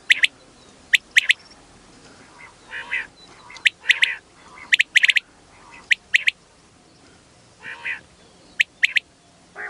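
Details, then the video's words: Female quail giving crisp, high, clipped notes in doubled and tripled bursts, mixed with several rasping, buzzy notes between them. "مادی بٹیر کی آواز"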